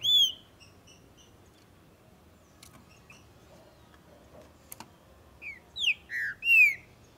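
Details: Green-winged saltator (Saltator similis), a Brazilian territorial songbird, singing strongly in tournament and breeding season. A loud descending whistle opens, then soft short notes, then a closing burst of four slurred, falling whistled phrases.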